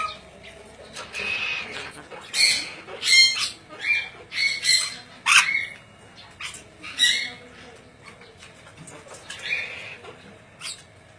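An ornate lorikeet gives harsh, screechy squawks in irregular bursts about once a second, with quieter chatter and faint background noise between calls.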